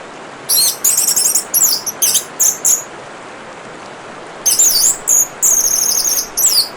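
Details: Orange-headed thrush song against constant running water: two long bursts of fast, high, jumbled twittering phrases, each made of short bright notes repeated in quick clusters, separated by a pause of about two seconds.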